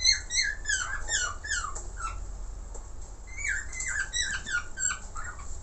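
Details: Caged budgerigar chattering in a fast stream of squeaky, twisting chirps and short whistles, pausing briefly mid-way before resuming, over a constant low hum and thin high hiss.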